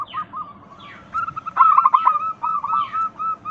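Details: Local zebra dove song played to get other doves calling: a soft, steady stream of short coos swells into a loud, rapid stuttering trill, then eases back to spaced coos. Faint falling chirps are heard in the background.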